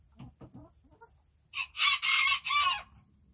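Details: Backyard chickens relaxing through their day: after a few soft low clucks, a loud hoarse crow bursts out in drawn-out broken phrases lasting over a second, bright and rasping.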